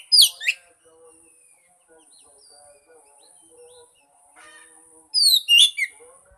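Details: Lure song of an Oriental magpie-robin for coaxing a silent bird into singing: two short bursts of sharp, high whistled downslurs, one at the start and one near the end, with quiet low tones between.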